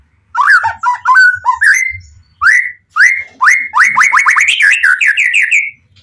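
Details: Pastol-type White-rumped shama singing with full emotion to provoke other shamas: loud, rich whistled phrases, slurred notes rising and falling, ending in a fast run of repeated upswept whistles.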